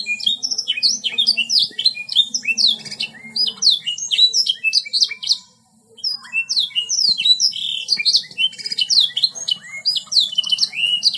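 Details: Kenari in full song: rapid, varied chirps, trills and short rising whistles poured out continuously, with a brief pause midway, then bursts again.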